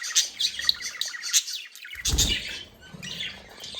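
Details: Happy, playing budgerigars give quick high tweets and squeaky chirps in close succession; a brief low thump sounds in the middle, and then the chatter carries on more softly.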